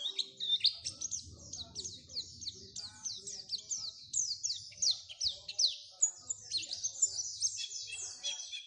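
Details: Oriental white-eye lure song for encouraging white-eyes to sing: a quick series of high, steeply falling whistled notes repeated in a rapid rhythm, with a low rumbling background noise underneath.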